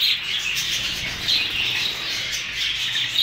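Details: New Hogoromo budgerigars chattering together: a dense, continuous wash of high, scratchy chirps and warbles, with a few brighter squeaks standing out and a faint low hum underneath.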